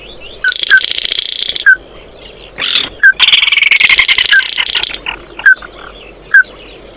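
Oriental white-eye calling to its flock: high, thin twittering in busy bursts, broken by sharp chip notes every second or so.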